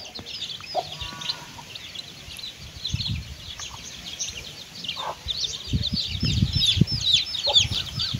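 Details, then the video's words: Hen with chicks while eating: many faint high chick peeps running steadily throughout, louder toward the end, with scattered low thuds and rustling, perhaps from pecking or movement. "Chickens and chicks eating sound"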